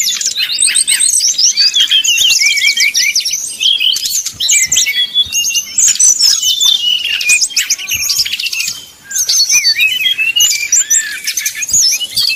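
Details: Brown-chested jungle flycatcher singing a long 'nyuling' whistled song to provoke rivals: energetic high trills and slurred whistles in rapid succession, with one brief quiet gap near the end.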